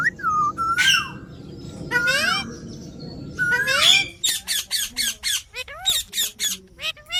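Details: Talking Indian ringneck parrot kept as a pet: slurred, rising and falling harmonic phrases, then a fast series of sharp clipped chatter notes repeated about every quarter second.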